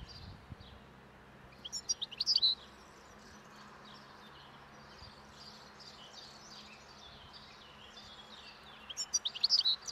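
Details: Wild European goldfinches feeding calmly on roadside thistle seeds as spring nears, beginning breeding song; two short bursts of bright tinkling twitters separated by a quiet stretch of soft background chatter.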